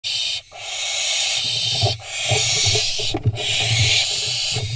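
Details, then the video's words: Barn owl fledglings fighting on top of a nest box in Israel, 7 July 2021: long harsh hissing screeches, broad and noisy, with short gaps, over scuffling and low rumbling sounds. "Fledglings fight on top of box| Barn Owls Israel Cam 2| תנשמת"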